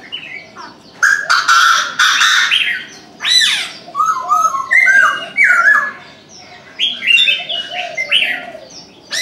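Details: Chinese francolin calling in the morning: loud, harsh, grating notes in a strident rhythmic phrase. Bursts of rising-and-falling syllables are separated by short pauses and repeated several times across the recording.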